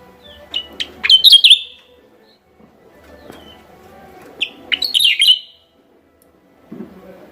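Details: Javan myna lure sound from West Java: two bursts of sharp, chattering high notes with short whistled slurs, about four seconds apart, each lasting under a second, over a faint low murmur of background noise.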